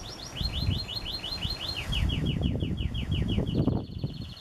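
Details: Canary song built from a long, even trill of quick descending notes that speeds up partway, then switches to a tighter, higher roll, heard against steady low-pitched background rumble.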